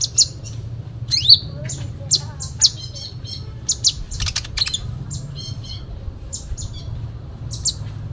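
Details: Sooty-headed bulbul (konin) in full fighting song: dense, high-pitched chirps, squawky slurred notes and quick trills, delivered in separate bursts over about eight seconds, with a constant low background hum.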